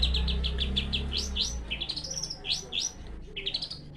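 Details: Long-tailed shrike giving rapid chattered notes that turn into loud upslurred whistles, several phrases in four seconds, with a low rumbling hum behind.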